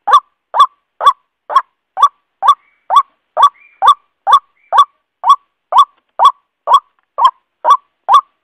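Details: Male white-breasted waterhen calling to the female in a long sequence of raspy honking calls, just over two per second, with a faint thin whistle briefly behind them.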